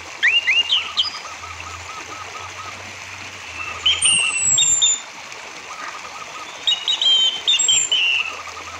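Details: Orange-headed thrush song used as a lure to stimulate other birds to sing: scattered clear whistled slurs and quick chattering phrases in separate bursts with pauses between, over a low steady background hum.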